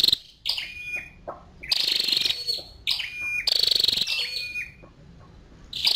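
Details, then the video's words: Thin, piercing chirps from a female scarlet-backed flowerpecker, delivered in loud clustered bursts with brief descending whistles, then a quieter spell before a final burst. "Tiếng chim sâu đầu đỏ mái"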